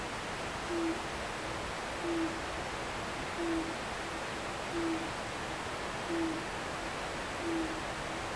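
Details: An owl calls after dusk from a back hill in Japan: six short, low, even hoots at regular intervals of roughly one and a half seconds, quiet beneath the continuous roar of a river.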